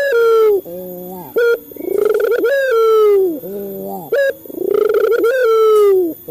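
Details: Male Barbary dove of a local strain, used to stimulate captive doves to call, gives repeated phrases: a pulsed swelling coo into a long gently falling tone, alternating with a low quavering note and a sharp rising chirp.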